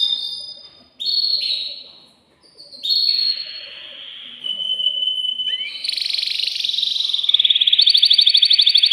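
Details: Caged male canary, excited, singing to stimulate the female for breeding: long pure whistled notes and slurs with short pauses, building into a dense warbling phrase and a rapid pulsing high trill.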